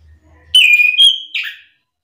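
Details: Orange-headed thrush song intended to spur silent thrushes into answering: a brief low hum, then a single sustained bright whistle sliding into a scratchy warbled ending, under two seconds in all.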